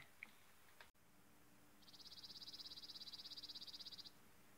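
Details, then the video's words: A Chipping Sparrow gives a dry, rapid, even trill on one high pitch lasting about two seconds, after a couple of faint clicks, on a chilly spring morning in nesting season; a common spring sound. "that's the noise the chipping sparrow makes."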